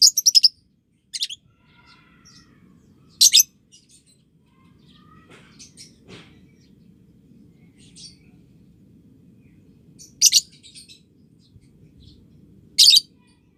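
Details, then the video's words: A lovebird in a training recording for young birds learning ngekek chatter gives sparse, harsh, high squeaky bursts spaced several seconds apart, some as quick double pulses, over a continuous low background rumble and faint scattered noises. "Masteran Love Bird Paud & Balibu Dijamin Latah Ngekek"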